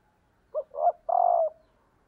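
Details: One full cooing phrase from a female spotted dove, used as a decoy to attract and stimulate males: a brief opening note, a swelling second coo, then a longer, even coo that tails off downward.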